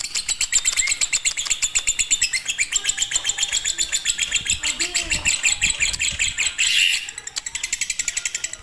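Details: Lovebird singing fighter, konslet style as master for birds lazy to sing: fast, shrill, rattling chatter repeated without pause, with a brief louder squeal near the end.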